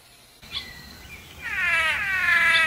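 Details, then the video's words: Blue manakin in forest during its mating ritual. A brief high note and a thin whistle come first, then a loud, drawn-out nasal buzz swells with rich harmonics, dipping slightly before holding steady. "BLUE MANAKIN BIRD MATING RITUAL IN THE FOREST"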